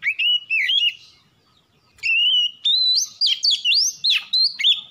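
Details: Singing white-rumped shama as a lure to trigger song: varied loud whistles, rising slides and fast looped notes, an opening phrase then a long rapid string of distinct notes.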